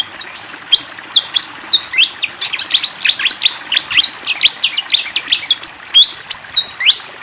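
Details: Fantail singing energetically with flowing water: high whistled notes, some level and some sharply rising, mixed with quick chirps in the middle, over a soft steady hiss of running water.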